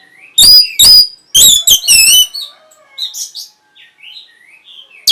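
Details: Singing orange-headed thrush, used to trigger breeding arousal and a response: several loud, emphatic whistled notes with wavering overtones, then quieter sliding and warbled phrases, a final loud note at the end.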